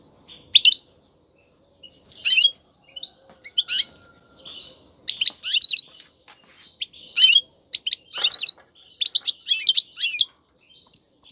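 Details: Male European goldfinch singing loudly in captivity to stimulate a female to mate; bright twittering phrases high in pitch, broken by short pauses, bursts of trills and tinkling notes coming every second or so.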